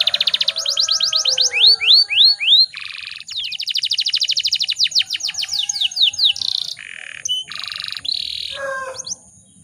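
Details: Domestic canary, stated as a female, played as a lure to provoke males into singing: fast high rolling trills, upward-sweeping whistled notes and buzzy steady tones, switching abruptly between phrases, in a quiet room.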